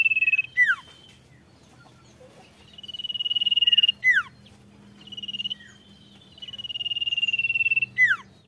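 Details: Golden-bellied gerygone singing hard to provoke rivals, giving several high sustained trills, each closed by quick downward-sliding whistles, with a faint low hum beneath.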